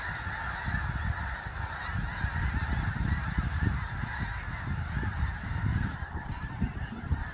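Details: Snow geese in a large flock on Fir Island, Washington, settling at nightfall; continuous massed honking over a heavy low rumble of wind or handling noise.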